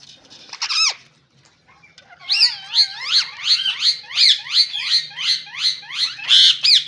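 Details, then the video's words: Rose-ringed parakeets, green Indian ringneck parrots, giving a series of shrill, rising and falling squawks repeated about three times a second after a brief loud screech, with a faint low hum beneath. "Fantastic Ringneck Parrots 🦜 | Beautiful Green Indian Parrots"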